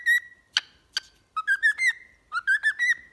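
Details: A pet cockatiel singing-training tune: a held steady whistle, two sharp click-like chirps, then two quick runs of wavering, slightly rising whistled notes.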